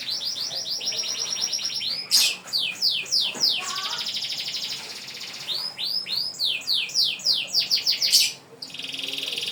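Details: Canary in vigorous long-breath singing style, delivering nearly unbroken high-pitched rapid trills, interrupted by runs of sharp descending sweeps around the second and seventh seconds, then brief pauses before the trilling resumes.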